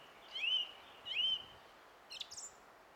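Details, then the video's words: Song thrush song from 20 April 2016: a sweeping, upward-slurred whistled note repeated twice about a second apart, followed by a brief thin high squeak. "Kaunis ääni linnulla - Laulurastas"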